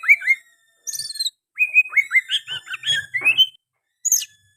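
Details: Oriental magpie-robin singing, its song mixed with sooty-headed bulbul phrases: paired whistled notes, then a quick string of looping bubbly whistles and a rising slur, with a thin high note at the end.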